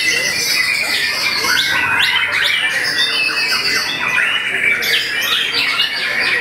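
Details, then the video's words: White-rumped shama, a caged contest bird hung on the competition stand, singing at loud volume: rapid, varied whistled phrases with sharp rising and falling notes, packed densely together, amid other birds and background chatter. "VOLUME KERAS!! SERASA KAPAS TEMBAK MURAI BATU BILLION BUNGKAM LAWAN LEBIH CIUT, TEMBAKAN MEMATIKAN"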